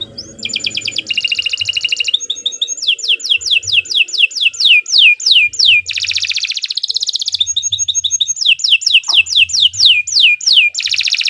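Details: A canary in long continuous song for training: varied rapid trills, rolling buzzy passages and runs of repeated downslurred whistled notes, delivered without pause.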